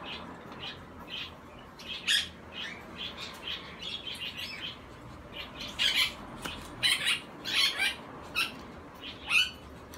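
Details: Captive barn owl chick, recorded 5 August 2017 in Fukuoka, giving harsh, hissing screeches in short bursts, irregular and sometimes doubled, rising in loudness toward the end over steady background hiss.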